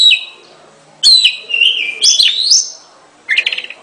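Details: Oriental magpie-robin gives a brief whistle, then after a pause a long sweet phrase of sliding whistles, followed by a quick buzzy trill.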